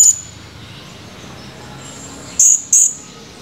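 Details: Chirping male blue-crowned hanging parrot recorded on 17 July 2020: one shrill high chirp at the start, nearly two seconds of quiet hiss, then two loud, piercing chirps in quick succession.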